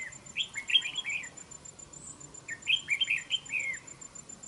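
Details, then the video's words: Red-whiskered bulbul at a fight trap, praised as fierce and fine-voiced: two quick warbled phrases, each a run of five or six bright chirping notes lasting about a second, separated by a short pause over faint background hiss. "Bẫy Đấu Chào Mào. Cầu Mỏ Cực Tốt . Đấu Găm. Giọng Hay .Cực Gấu"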